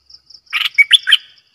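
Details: Single lively phrase from a decoy bulbul: a rush of rich, rolling whistled notes rising and falling, preceded by soft high ticks.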